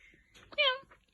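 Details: Pet parrot calling for its owner, saying "come here": a short, clear, harmonic voice-like syllable, briefly loud and slightly falling, with soft room sounds around it.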